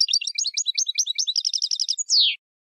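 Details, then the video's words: Song of a European goldfinch, meant for teaching fledgling goldfinches: quick tinkling twitters leading into a fast even trill, closed by a drawn-out harsh falling buzz. "موسوعة الحسون العالمية (9) chants des chardonnerets du monde (9) goldfinch songs"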